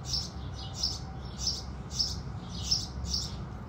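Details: At sunrise, house sparrows give six sharp, high chirps in a quick, fairly even series, each about half a second after the last, with low background hum.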